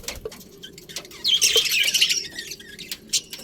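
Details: Budgerigar colony with breeding pairs: sparse, quiet clicks and ticks open the clip, then a loud warbling burst of high chirps lasts about a second before fading back to scattered tiny calls.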